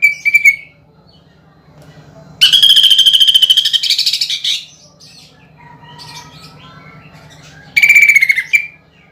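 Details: Greater green leafbird lure song carrying woodpecker, kingfisher and fighting-sparrow fill for contest birds. Rapid rattling trills come in three bursts: a short one, a long rolling one of about two seconds, then another. Soft faint notes sit between them.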